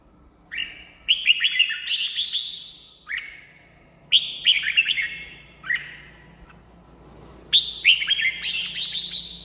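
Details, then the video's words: Red-whiskered bulbul singing, a recording used to excite caged birds or lure wild ones; clear warbled phrases of quick whistled notes ending in a buzzy burst, four phrases separated by brief silences. "เสียงนกกรงหัวจุก สำหรับต่อ หรือ เปิดให้นกคึก เสียงเพราะๆ"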